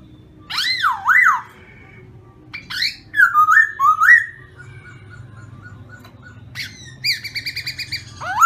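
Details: Black-throated laughingthrush singing deep, wavy, swooping whistles in short phrases, with pauses between them, then a fast series of short repeated notes and a rising whistle at the end.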